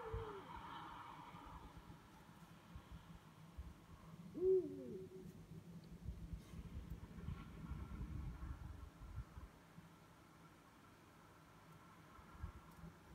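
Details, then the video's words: Two Eurasian eagle-owls calling at night: one brief hoot, falling slightly in pitch, midway through, set against rumbling low background noise and long quiet stretches. "Uhus rufen in der Nacht"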